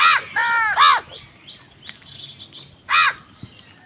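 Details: Crows squabbling over food give harsh, nasal caws in a quick run of three, then a short gap and one more strident caw, with faint chirps behind.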